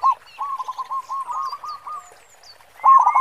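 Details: Spirited local zebra dove, a big-voiced 'khong' singer used as a lure: a long even chain of soft hollow coos, a pause, then a sudden loud rolling burst, with thin descending whistles from other birds.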